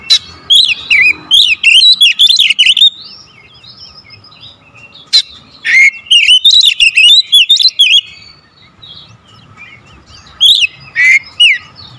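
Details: Oriental magpie-robin used as a lure song for other magpie-robins, with rapid, tightly packed bursts of loud, rich whistles, sliding trills and sharp clicks, separated by short pauses, over a faint steady electrical hum.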